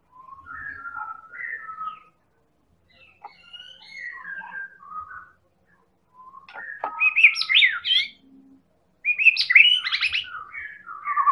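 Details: White-rumped shama of the Medan type, actively singing, its song used to provoke other birds into singing: varied clear whistled phrases, first soft and mid-pitched, then louder, higher, rapidly rising and falling notes in bursts.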